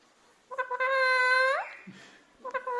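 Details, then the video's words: A pet black-capped lory, prompted by its owner, imitates fake crying: a drawn-out nasal wail that holds steady, then swoops sharply upward, followed by the start of a second, shorter cry. "parrot talking ഇവന്റെ ഉടായിപ്പ് കാണു black cap lorri amazing voice"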